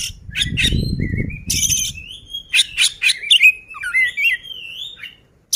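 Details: Oriental magpie-robin in ngobra display, singing vigorously: rasping bursts lead into a long, clear, wavering whistled phrase with sliding rising and falling notes, and low rumbling noise early on.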